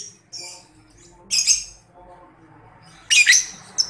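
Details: Young lovebird sound used as a lure to make lovebirds answer back; shrill, squawky high chirps in two short bursts about two seconds apart, with quiet low background hum between them.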